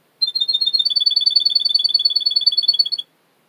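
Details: Male Russian canary from Miami, Florida, recorded for song training, sings a single fast trill of crisp high notes alternating between two pitches, roughly three seconds long, framed by silence.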